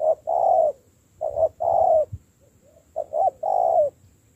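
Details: Spotted dove being trained as a decoy bird, cooing in three-note phrases: two short coos followed by a longer drawn-out coo, repeated about every one and a half seconds, with a faint soft coo between phrases.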